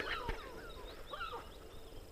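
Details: Lesser black-backed gulls call over one another in a busy breeding colony at Stora Karlsö off Gotland's west coast, heard from a hut roof, with overlapping harsh, sliding and wailing notes over a low rumble.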